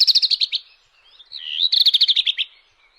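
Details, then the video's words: Redstart delivering two rapid buzzy trilled phrases of many quick notes, separated by a short warbling slur, loud and clear. "صوت طائر الحميراء // Phoenicurus bird sound"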